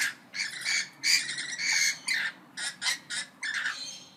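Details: Several parrots calling back and forth, a run of harsh, buzzy squawks in short bursts about a second apart, with a faint low hum underneath.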